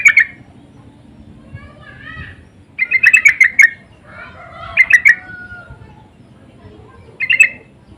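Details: Sooty-headed bulbul lure and answering calls, insistent in tone: several bursts of fast bubbly chirps separated by gaps, with softer warbled and whistled phrases in between.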